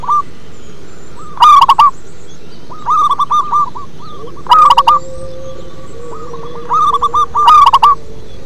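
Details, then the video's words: Deep-voiced local zebra dove singing, its phrases of four to six quick rolling coo notes recurring every couple of seconds, alternating softer and loud, harsher bursts, with a low steady tone in the background. "Perkutut lokal manggung ngebas"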